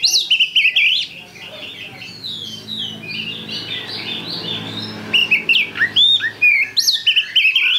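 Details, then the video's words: Kacer, the Oriental magpie-robin, singing as a lure bird for other songbirds; bright whistled notes in quick bursts at start and end, a softer rambling warble in the middle over a low hum. "Pancingan Kacer Gacor"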